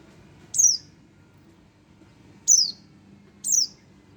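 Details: Young Oriental white-eye, one month old, utters three high thin descending calls, the last two closer together, over a soft low-frequency background.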